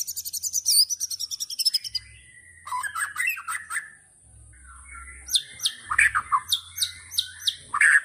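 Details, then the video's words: White-rumped shama 'tembakan' song opening with a fast, even stutter of high notes, then sharp clicks and mixed whistles, and closing with a run of quick descending high chips. "Tembakan Murai Batu Yang Membuat Kita Tidak Bosan Menontonnya Berkali-kali || WHITE RUMPED SHAMA"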